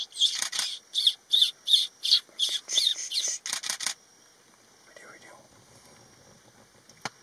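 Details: A crested (changeable) hawk-eagle perched resting on a tree gives a quick series of about twelve shrill, high, rasping notes, roughly three a second, then falls quiet. Faint background sounds and a single sharp click follow.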